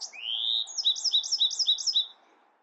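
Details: Bewick's wren song beginning with a long rising whistle, followed by six evenly spaced, two-part chirping phrases at a steady pace.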